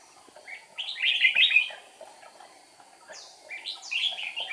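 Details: Trapping with a singing red-whiskered bulbul decoy, 8 April 2019, the bird flicking wings and tail: a loud tumbling phrase of sweet, slurred whistles, a quiet gap, then a second bright burst, faint clicking noise behind.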